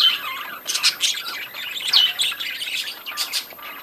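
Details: Budgerigars chattering in a breeding colony, with overlapping high squawks, rapid chirps and one rising-then-falling whistled note, several birds calling at once.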